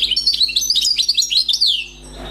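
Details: European goldfinch, a newly caught wild bird, in a fault-free song: a continuous, rapid run of bright, high twittering notes and tinkling trills, ending in a descending slur.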